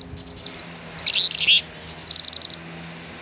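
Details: Black-capped chickadee producing a busy series of very high, thin chips and short notes, with a few brighter, slightly lower notes in the middle, over a faint steady background hum.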